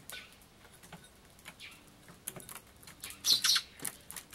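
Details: Young sparrows squabble on 16 June 2011, one charging even an adult bird. Faint scattered chirps build to a loud cluster of sharp, high notes near the end, then a few more chirps.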